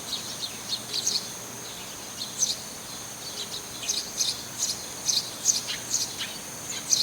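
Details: Eurasian tree sparrow, one bird that keeps calling on the same roof, giving many thin high chirps and clicks in an irregular, lively sequence, sometimes two or three close together, against quiet background noise.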